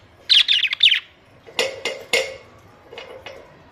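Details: Several pet budgies give a quick string of sharp, high chirps, then three louder raspy squawks and softer chattering notes, over a quiet indoor background.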